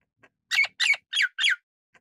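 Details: Golden-crested myna, Ampeliceps coronatus, uttering a single burst of four loud, harsh, grating squawks in quick succession, each note rough and broad; quiet otherwise.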